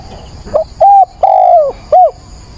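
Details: At dawn on 22 October a decoy spotted dove coos to lure wild birds: a single phrase of a brief note, a level coo, a longer coo gliding down, and a short rounded closing note.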